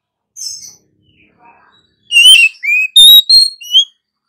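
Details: Oriental magpie-robin; song; female singing to stimulate other birds to sing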